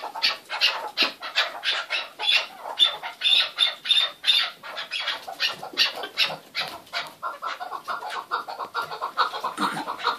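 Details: Chukar partridge calls in pulsing bursts, harsh strident notes repeated more than twice a second, some with thin whistled tones, becoming a denser lower chatter later.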